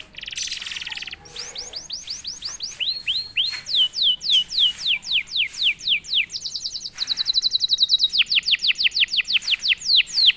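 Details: Canary (kenari) song after a single prompt: a buzzy opening, long runs of rapid sweeping whistles at a steady pace, a high metallic trill, then further quick descending notes.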